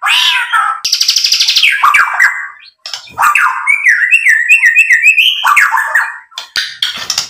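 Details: White-rumped shama in full song to trigger singing in other birds: a harsh buzzy rattle, then a string of fast rising-falling whistled notes repeated rhythmically, ending in sharp high chips.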